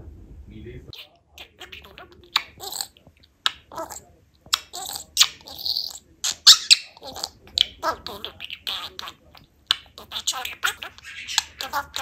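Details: A pet talking budgerigar chatters in quick, scratchy bursts of mimicked Turkish words mixed with clicks and chirps.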